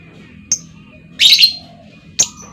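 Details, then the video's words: Calling female lovebird used as a lure for other lovebirds: a brief high tick, then a harsh rasping screech, then another sharp high chirp, with a faint steady tone in the background. "SUARA PANCING LOVEBIRD BETINA, LOVEBIRD LAIN LANGSUNG NGEKEK PANJANG Dengan Suara Lovebird Memanggil"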